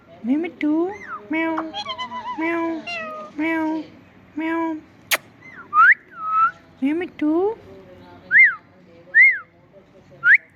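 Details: Pet talking parrot saying "Mitthu Mitthu" and mimicking a meow: a steady series of rich harmonic syllables about once a second, then clear whistled upsweeps spaced out toward the end.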